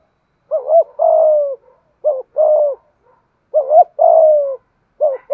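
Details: Spotted dove, Malaysian type, cooing in the 'thúc gù' style. Each phrase has a short upslurred doublet followed by a long mellow coo that tails downward. The pattern repeats three times, and a final doublet begins at the end.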